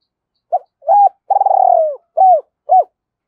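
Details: Spotted dove, a decoy bird, cooing in a double-voiced style: two short hoots, a long vibrating coo that slides downward, then two clipped hooting notes, all low and clear.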